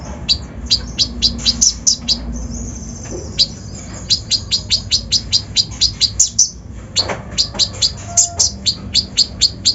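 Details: Brown-throated sunbird, locally konin, in a rough full-'isian' lure song used to rouse other birds: long rapid runs of high, sharp chirps and slurred notes, with a brief drawn-out high whistle between runs.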